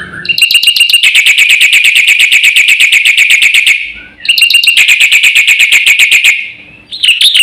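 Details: Black-winged myna (jalak putih) singing gacor with full content to provoke other birds. Two long, loud trains of rapid, buzzy repeated notes, each lasting several seconds, separated by a short pause.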